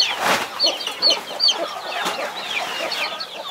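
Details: With a mother hen watching over her 21 chicks, sharp high peeps slide downward in rapid, uneven bursts, joined by soft low clucks and a few brief rustling thumps.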